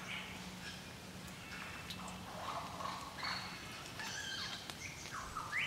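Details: Wild lyrebird on the Illawarra escarpment, NSW, singing in rain after drought, late August 2018: a varied run of loud whistles, downward swoops and chattering notes, closing on a sharp rising whistle, over steady rain hiss and faint low hum.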